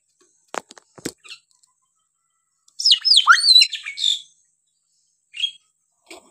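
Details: Hill myna sounds for training untaught or reluctant mynas: a few sharp clicks, then a busy run of squeaky, sliding whistles and chatter for about a second and a half, followed by scattered short notes.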